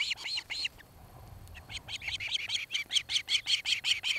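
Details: Nesting osprey on a camera at Charlo, Montana, 26 July 2018, early evening; a few whistled chirps, a short lull, then a regular series of bright, clipped notes building in strength.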